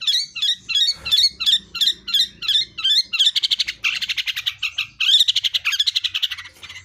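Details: Wild blangkon-type long-tailed shrike in full-fill song: an even run of bright, hooked chirps for about three seconds, then fast buzzy rattling trills in rapid bursts, with faint low rumbling beneath.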